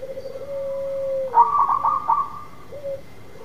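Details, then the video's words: Local zebra dove singing actively, used to lure a silent dove into singing: a long level coo, then a burst of quick stuttering staccato notes, and a short closing coo. A faint steady high tone runs underneath. "Perkutut lokal gacor memikat perkutut yang macet bunyi"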